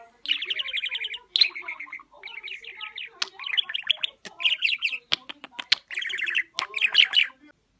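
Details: Pet budgerigar chattering and talking, buzzy rattling phrases and warbled bursts about a second long, separated by short pauses, with several sharp clicks in the middle.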